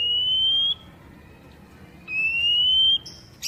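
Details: Poci-type Oriental magpie-robin song used to coax newly kept wild birds into singing: two long, clear whistles, each drawn out and gently rising, separated by a pause of over a second, with a brief higher note at the end.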